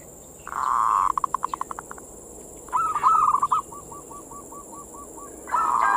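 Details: Zebra dove (perkutut) manggung song used as bait to excite local perkutut. A loud burst breaks into rapid fading pulses, followed by a rolling coo phrase and a trailing row of short, evenly spaced coos, over a steady hiss.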